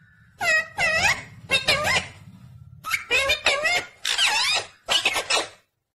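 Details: Parrot talking, saying "mummy papa": about six quick, high, nasal speech-like bursts with sliding, wavering tones spread over five seconds, over a low steady hum.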